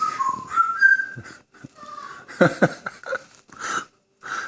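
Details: Grey parrot in a good mood indoors, sliding whistles blending into harsher breathy, rasping noises and chatter, in a continuous busy stretch.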